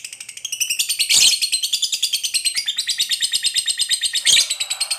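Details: Long, tightly spaced ngekek chatter of a lovebird fighter, meant to coax other lovebirds into singing: a rapid, rasping run of high notes with two louder, harsher bursts along the way.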